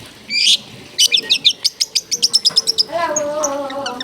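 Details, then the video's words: Long-tailed shrike in full song, a caged bird kept to tutor other shrikes: a harsh burst, then a fast run of about twelve sharp high chips, followed by lower whistled notes. "CENDET GACOR FULL ISIAN MEWAH SUARA JERNIH MUDAH DITIRU CENDET APAPUN"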